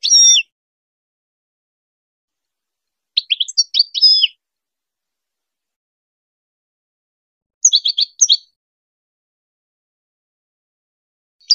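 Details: Goldfinch song meant to train hybrid chicks: separated bursts of quick, high, liquid twitters, each under a second or two long, repeated at irregular intervals of several seconds in a quiet background.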